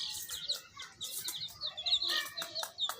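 Baby chickens cheep in a busy chorus of high, short peeps, many overlapping and repeated several times a second, with soft low rustling underneath.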